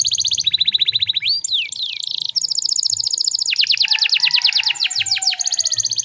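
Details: Canary song used as a stimulus so other canaries sing quickly, Indonesia; continuous fast rolling trills and downslurred note series with sweeping whistles, over a faint low background rumble.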